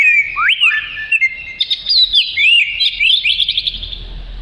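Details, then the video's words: Oriental magpie-robin, black and white with a long tail, singing a melodious varied song: clear whistled upslurs and downslurs around high pitch, then rapid buzzy trills and chattering phrases, loud and continuous throughout. "Burung Kacer Merdu"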